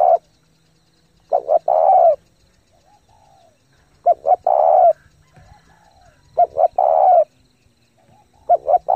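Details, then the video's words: Spotted dove lure bird in fast 'thúc gù' cooing, used to excite decoys and train fresh-caught doves: repeated phrases of two clipped coos and a drawn-out rolling coo, with soft low hum between. "chim cu gáy thúc gù tốc độ căng lửa kích mồi tập bổi cực mạnh"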